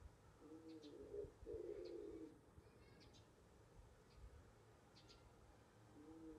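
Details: Soft, low cooing from a wood pigeon nesting in a balcony box: two linked coo phrases in the first seconds, then a pause and the start of another coo at the end.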